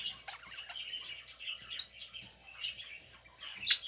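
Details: Budgie feeding while it chatters continuously in high, thin chirps and warbling twitters, ending in a sharp, louder tweet.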